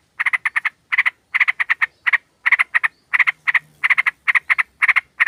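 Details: Female sooty-headed bulbul calling a male, a group recording played to lure birds: rapid harsh chattering notes bunched in short runs of three to five, pausing briefly between runs, steady and loud throughout.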